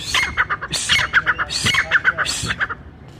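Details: Brown francolin call, said to gather other francolins in the forest and used by hunters: harsh, rhythmic repeated squawking notes in rapid runs, rising in loudness then fading out at the end.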